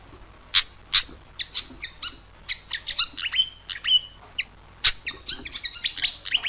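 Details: Pied fantail in full song, used as a lure for trapping birds: irregular high chirps and short whistled notes, some bursts quick and clustered, others spaced, with sharp sweeping elements over a quiet background.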